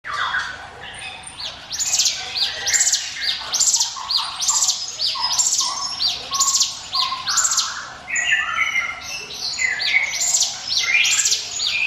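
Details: Hill prinia song, offered as a lure for other birds: high, bright upswept chirps in rapid ringing phrases, repeated roughly once a second, with thin higher whistles above.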